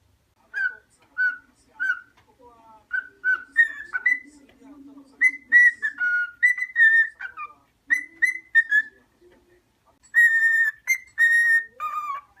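A cockatiel whistles a run of clear, repeated notes around the same pitch, some rising or dipping.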